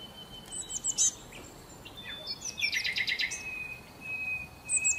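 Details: Sparrows gathering after breakfast at a hotel in Marsa Alam, Egypt, to feed on leftovers; thin whistled notes and a burst of rapid scratchy chirps, with steady ambient noise.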